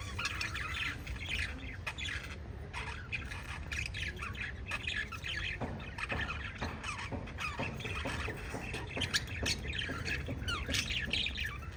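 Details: Five budgerigars kept together chirp and squawk continuously, with dense overlapping warbles, sharp clicks and quick upward notes throughout, over a low rumbling background.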